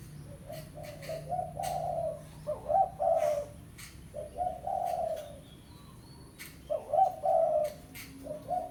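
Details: Spotted dove, pesom variety, giving a lure call to a rival: several soft hooting coo phrases spaced by pauses, interspersed with sharp clicking knocks and a low drone.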